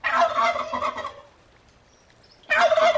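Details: Farmyard turkey gobble, a harsh rattling burst lasting about a second, then silence, then another gobble starts.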